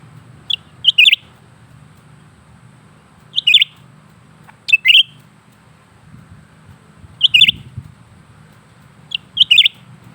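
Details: Lesser green leafbird in persistent song, repeating crisp high chattering phrases roughly every two seconds; each phrase opens with a thin note and ends in a rapid cluster of bright chirps, low hum beneath.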